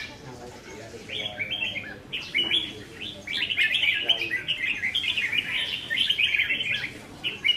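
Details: Caged red-whiskered bulbuls in a practice singing contest on 15 May 2021: dense, overlapping chirpy warbled phrases, bright and rapid, pouring almost continuously from several birds, with faint murmuring voices beneath.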